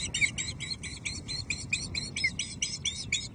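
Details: Female osprey at Loch Arkaig, 5 May 2023, evening, awaiting and receiving a second fish from the male and moaning at him: rapid, high, piping cheeps repeated several times per second without pause over low background rumble.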